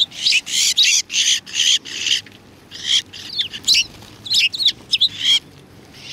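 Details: Several sparrows gathering to be fed at a Tenmangu shrine in early February 2020, giving a busy stream of loud, harsh chirps, some overlapping, with a few shorter twittering notes toward the end.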